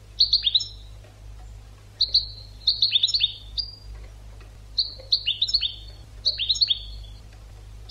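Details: Training song of a European goldfinch, with three clustered bursts of rapid, tinkling notes that slide downward, each phrase about a second long, separated by short pauses; faint low hum beneath.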